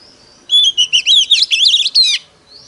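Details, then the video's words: Decoy oriental magpie-robin singing competitively to call in wild birds: a rapid, high whistled phrase of about eight linked, warbling notes lasting under two seconds, rising and falling, over faint low background noise. "Choè than mồi || SIÊU GỌI BỔI || Chích choè than hót đấu || CỰC SUNG"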